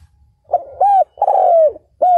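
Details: Spotted dove decoy bird calling to draw in wild males: soft lead-in, an arched coo, a long drawn descending coo and another arched coo, with faint low knocking underneath.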